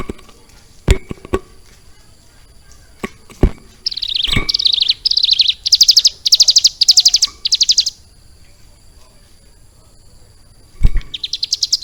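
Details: Prinia called ciblek gunung, caged and trained to copy lovebird song; scattered knocks give way to a four-second run of high, buzzy chirp bursts, with another burst starting at the end.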